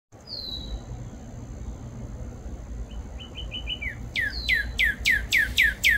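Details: Cardinal calling: a few thin high notes, a quick run of short chips, then about seven loud, steeply down-slurred whistles, roughly three per second and growing stronger, over a steady low background hum.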